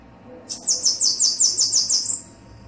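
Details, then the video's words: Bananaquit song, male and female noted: a very high, thin, sizzling series of rapid buzzy notes, about ten pulses over one and a half seconds, ending in a slightly higher trill, against a quiet background. "CANTO DO SIBITE MACHO E FEMEA - CAMBACICA"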